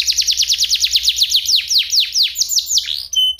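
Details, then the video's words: F1SF canary tutor song for oriental magpie-robins: a run of rapid down-slurred whistles that slow and lengthen over three seconds, closing with brief high steady tones. "Masteran cocok untuk murai batu!! Audio Jernih Suara Kristal Cengkok Unik"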